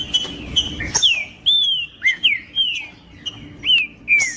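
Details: Trinca-ferro (green-winged saltator) in macheando song, played to warm up a trinca-ferro. Some short clicks, then spaced, ringing whistles that bend upward then fall, one every half second or so.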